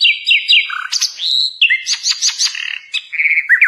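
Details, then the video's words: A flycatcher (sikatan londo) sings a lively, varied song of quick slurred whistles, short trills and buzzy notes, high-pitched and almost without pause, used as a master song for training cage birds; no other sounds. "Suara Masteran Burung Sikatan londo Gacor"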